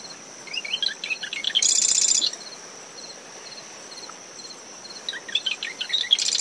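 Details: Early-morning marsh wren by its nest in coastal dune shrubs after a tropical depression: rapid clicky notes rolling into a loud buzzy rattle, with a second song beginning at the end; steady cricket chirping and windy waves underneath.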